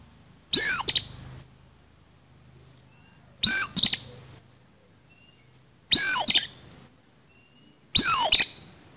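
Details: Fighting song of the kacer, or oriental magpie-robin, harsh-filled: four separate loud phrases, each a high downslurred whistle tangled with fast rattling notes, two to three seconds apart in otherwise quiet surroundings.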